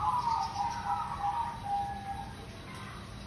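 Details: Local zebra dove, used to lure birds: one long, slightly wavering rolled coo lasting about two seconds, then fading, with faint background hiss.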